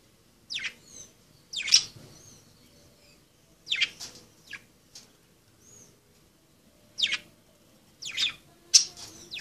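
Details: Pet budgerigars playing produce short, scratchy chirps in small clusters separated by quiet gaps, plus one soft whistled note near the middle.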